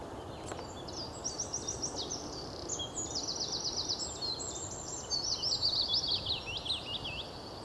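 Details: A Bluethroat at Nieuw Wulven, Netherlands, on 15 April 2007 sings a varied, high run of fast metallic trills and buzzy repeated notes, phrase after phrase, over a steady rush of wind.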